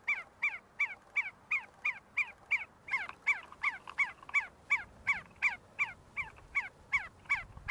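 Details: Kurdistan, University of Sulaimani: see-see partridges feeding and fighting together utter a rapid, steady chain of about twenty-one clipped, downward-sliding notes, nearly three per second, with faint low rumble near the end.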